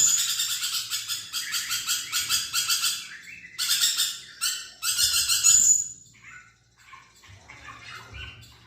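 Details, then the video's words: Vigorously chattering lorikeet, recorded as training material for magpie-robins. Rough, buzzy screeches come in pulsing bursts over six seconds with a piercing whistle near the end, then fade to faint scattered twitters. "BURUNG NURI PERKICI GACOR"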